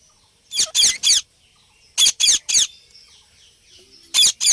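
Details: Indian ringneck parrot (rose-ringed parakeet) that talks and makes sounds: shrill, grating screeches in fast triplets, three calls, a short pause, three more, then a quiet gap before two final screeches.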